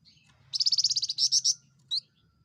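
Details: A loud-voiced small insectivorous bird, the rusty-capped fulvetta, gives a rapid run of about ten bright, high notes that swells into three stronger ringing notes. A single short note follows after a pause, over a soft background rumble.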